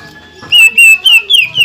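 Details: Caged greater green leafbird singing to provoke other leafbirds: several loud, clear whistled notes, some level and some rising, delivered quickly in succession.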